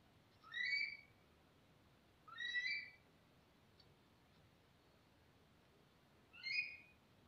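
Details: Himalayan monal calling: three short, sharp, rising whistled notes, spaced about two and four seconds apart, over a soft steady hiss.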